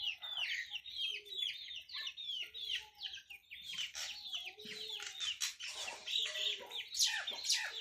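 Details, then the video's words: Indian ringneck parakeet, a talking bird, giving rapid, repeated sharp chirps and chattering notes, several per second, with brief lower murmurs between them. "Talking indian ringneck parrot"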